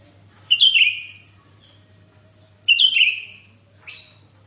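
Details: Sooty-headed bulbul in lively song, played to get other bulbuls singing: two bubbly, chattering whistled phrases about two seconds apart, each trailing downward, followed by a brief buzzy note.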